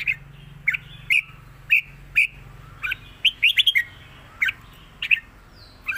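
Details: Southern-style song of a red-whiskered bulbul with trills, a clear master pattern repeated for teaching birds: bright, slightly buzzy whistled notes spaced about half a second apart, with a fast cluster of rising chirps near the middle. A low steady hum underneath.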